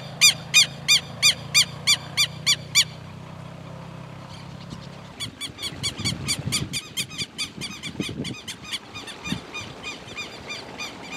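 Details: Southern lapwing giving a loud, harsh, evenly spaced series of ringing calls for about three seconds, then a short pause before a faster, denser run of calls resumes over outdoor background.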